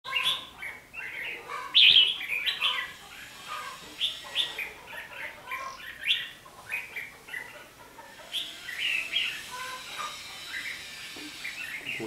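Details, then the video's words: Red-whiskered bulbuls singing a fighting song at a trap with a decoy bird, recorded on 11 January 2016: dense bursts of short, bright, chirpy whistled notes, several phrases overlapping in quick succession with one louder, sharper burst near the start. "Bẫy đấu chim chào mào bị điên"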